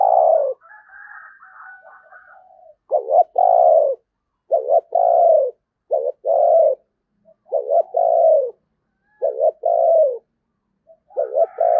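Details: Repeated 'thúc gù' cooing from a decoy spotted dove, used at Tết to lure wild doves. Low paired coos recur about every one to two seconds: a quick quavering note, then a sustained falling one, in a quiet setting.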